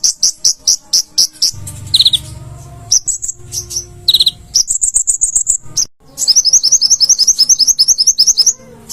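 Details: Konin in full chattering song for cage-bird training: evenly spaced high chips, brief slurred lower phrases, then a fast, unbroken string of piercing high notes.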